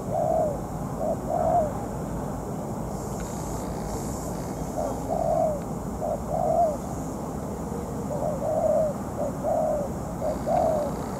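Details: Moulting decoy spotted dove calling on the ground during a trapping session with a wild bird: bursts of low cooing phrases separated by pauses of several seconds, light background hiss.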